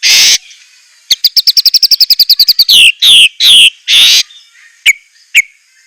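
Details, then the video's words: White-rumped shama song with a harsh opening rasp, a rapid even trill of about fifteen sharp notes, then loud descending swept notes and two isolated clicks. "ISIAN MEWAH MURAI BATU_PALING TOP SUARA SANGAR"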